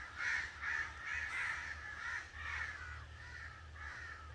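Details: Rapid, hoarse caws from an angry crow, loud at first and then fading slightly, over a low hum.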